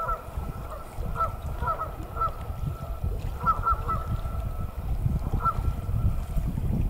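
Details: Canada geese on Travis McNatt Lake at Big Hill Pond State Park, February 3, 2018: distant nasal honks repeated irregularly, several overlapping, over a heavy low rumble of wind.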